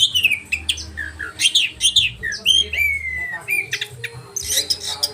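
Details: Oriental magpie-robin in 'roll tembakan' style, a training song for caged birds: varied short whistled notes and slurs with a few harsh squawk-like bursts, delivered in uneven quick phrases.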